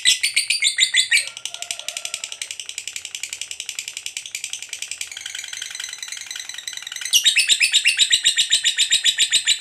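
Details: Lovebird delivering a long 'ngekek' trill used as a master recording for training other lovebirds: rapid, high, harsh chattering notes at about four per second, fading slightly mid-phrase then returning louder and denser near the end.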